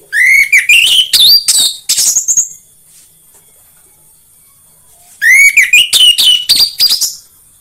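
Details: Orange-headed thrush song played to prompt birds to sing: two loud phrases, each starting with a rising whistled slur and running into rapid varied whistles and chips, about five seconds apart, with faint high hiss between.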